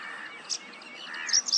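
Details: Paddyfield pipit song captured on a Nikon P1000: a brief high chirp, then a run of thin gliding whistles ending in two loud, sharp high notes, with faint twittering underneath.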